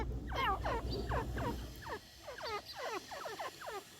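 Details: Teetar (partridge) giving quick runs of thin, downward-curving squeaks, about four each second, in clustered bursts, fading toward the end over a low background rumble.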